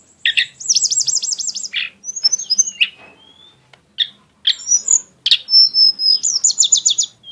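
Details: Lesser shortwing pouring out rich song bursts: a rapid warbled trill wavering up and down, high tinkling notes, sharp chips and a closing fast series of bright repeated pips.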